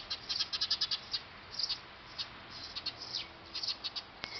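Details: At a nest built on a factory roof, Eurasian tree sparrows give a quick burst of high chirps at first, then sparser, thinner chirps spaced unevenly. Captured with a D5000 camera.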